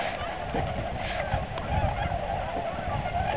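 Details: Large gathering of migrating tundra swans at the Aylmer Wildlife Management Area on March 15th, 2009, giving an unbroken chorus of honking, bugling calls, loudest in the middle, with low rumbling background noise.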